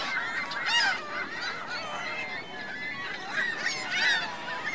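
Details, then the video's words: Geese and goslings at Virginia Lake in Reno, heard a little farther off: softer overlapping honks with scattered high, arching peeps and brief louder calls near the start and end. "Geese Goslings Reno Virginia Lake"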